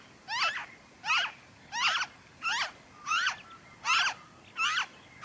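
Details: Noisy friarbird, recorded in Victoria, Australia, during February 2023, repeating loud, rasping, zigzag notes at a steady beat, about seven in five seconds.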